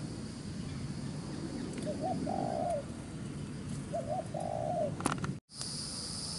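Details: Wild-caught spotted dove giving rapid 'gu xiet' cooing: two low, hollow coo phrases, each a short note followed by a longer flat coo, spaced about two seconds apart over a steady hiss.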